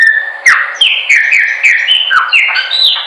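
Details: Chopi blackbird singing for training: a continuous chain of clear, downward-sliding whistles, each roughly a third of a second long, with sharp clicky onsets between them.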